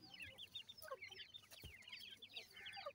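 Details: Seven-day-old grey francolin (teetar) chicks while feeding: a dense overlapping chorus of short, high, thin peeps, many with downward-slurred or hooked shapes, with occasional soft clicks and taps underneath.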